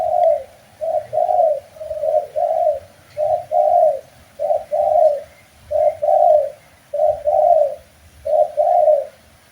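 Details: Spotted dove (tekukur) master song for training captive birds in Indonesia: steady series of low, rolling double coos, about one phrase per second, continuing evenly throughout.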